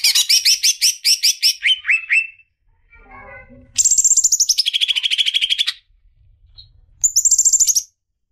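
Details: Female greater green leafbird calling the male: a row of sharp, buzzy chips falls lower, then after a pause comes a shrill, high rattling trill and a shorter repeat.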